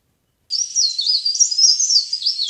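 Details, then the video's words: Leaf warbler call for lure trapping: a steady run of high, tumbling, squeaky twitters that starts abruptly and keeps going to the end, with slight hiss behind it. "CIKRAK DAUN GACOR | CIKRAK DAUN PIKAT | SUARA PARE PARE GACOR"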